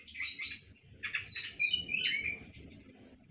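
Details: Captive orange-headed thrush in a hanging breeding cage delivering a dense, continuous jumble of sharp chirps, slurred whistles and high squeaky notes with almost no gaps, over a soft low rumble.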